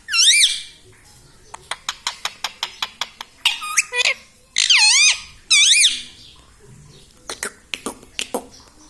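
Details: Caged pet parrot imitating speech at home: loud squawky, wavering syllables alternating with a quick series of sharp ticking clicks, then more nasal arched calls and scattered short clicks.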